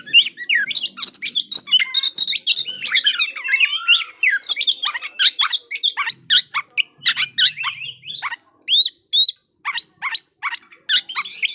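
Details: Kacer, the white-rumped shama, in a fighting-style provoking song aimed at angering an opposing bird; long fast run of mixed chirps, trills and rasping notes, followed by sharp separate upward-sweeping whistles and clicks.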